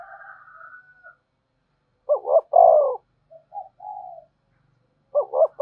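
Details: Spotted dove cooing as a decoy for wild doves: a faint, higher, drawn-out note, then a stuttered low coo phrase, a few soft trailing notes, and the start of another stutter near the end.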